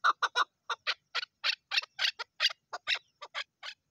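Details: Female Chukar partridge calling: a fast run of rough, scratchy clucking notes, some sharper and higher, delivered in uneven bursts.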